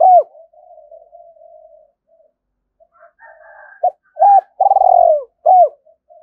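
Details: Spotted dove used as a decoy, singing in thổ voice to lure wild doves to fight. One arched coo, soft low murmuring, then a full phrase: brief note, rounded coo, long rolling descending purr, closing hooked coo.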